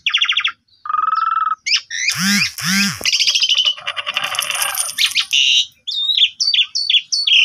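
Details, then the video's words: Asian pied starling singing to stir a sulking bird: a buzzy trilled note and a lower rattling note, then harsh squawks and dense scratchy chatter, ending in quick clipped whistles. "Pancingan Jalak Suren Full Isian Mewah Melimpah!! Bagus Untuk Masteran Jalak Suren Pundung"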